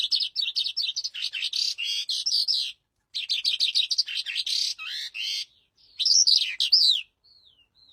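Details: A captive breeding calandra lark in an aviary pours out a fast, continuous jumble of high chirps, trills and rasping notes, broken by brief pauses.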